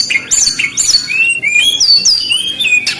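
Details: Loud, lively song of a brown-chested jungle flycatcher, made of bright whistled notes that swoop upward and downward in quick succession, with a few sharp high chips between phrases.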